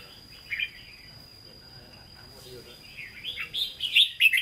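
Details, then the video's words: Red-whiskered bulbul kept in a cage, Hue-style 'hót ché' song: a soft whistled note, a quiet stretch, then a rising run of bright chirping warbles toward the end. "Chào Mào Chuẩn Giọng Huế Hót Ché"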